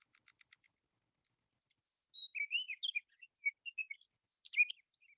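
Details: A Sage thrasher on Marble Hot Springs Road sings a long, varied warble of quick whistled and slurred high notes, including a run mimicking a sora's descending whinny.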